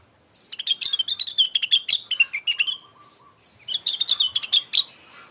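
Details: Cucak rengganis singing, used as a lure to provoke other birds to sing: two rapid chattering phrases of high, clipped notes, with a faint steady tone between them.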